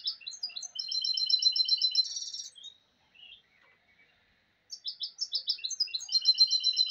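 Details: Goldfinch hybrid (mulet) delivering a clear, loud song: rapid metallic tinkling notes in even trilled runs, a buzzy rattle, then silence before another bright twittering phrase.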